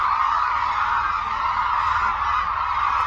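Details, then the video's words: Chorus of hooded cranes over Suncheon Bay Wetland, South Korea, performing aerial displays; countless overlapping honks merge into a constant, mid-pitched clamour. "흑두루미 울음소리"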